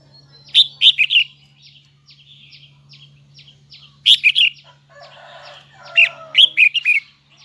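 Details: Red-whiskered bulbul of the Huế type, a kept singer, delivering three bursts of quick, high, bright whistled notes over a steady low hum, with a lower rasping call during the last burst.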